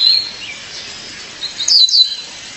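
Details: Female violaceous euphonia calling her mate: a few high, thin chirped notes, with a brighter double note near the end over a faint hiss.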